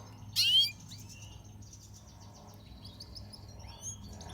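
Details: Red siskin in natural pastel colouring opens with a loud, sharply descending whistled note, then continues with quieter high twittering chirps and short warbles.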